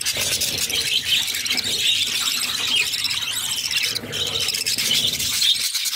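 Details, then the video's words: Budgerigar chicks, six in the brood, beg while their mother feeds them: shrill, unbroken squealing with scratchy overlapping notes, briefly dipping near the four-second mark. "Budgies baby feeding || Mother budgies feeding her cute babies"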